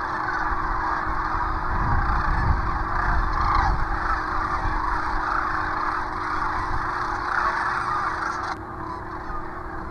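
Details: Many sandhill cranes returning to the Platte River at sunset near Gibbon, Nebraska, on March 30, 2023; a continuous roar of overlapping rattling crane calls, broken by low rumbles, softening abruptly near the end.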